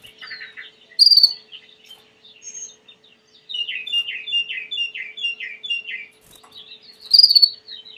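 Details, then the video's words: Belgian canary, a domestic canary breed, in full song: a sharp whistled roll opens, then scattered notes lead into a long chain of quick descending chirps before another shrill rolled phrase returns near the end. "COMO FAZER SEU CANARIO CANTAR MUITO 20 MINUTOS DE CANTO"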